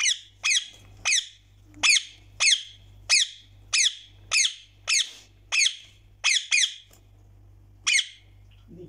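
A rose-ringed parakeet gives harsh, shrill screeches, about a dozen in quick uneven bursts, with a steady low electrical hum behind.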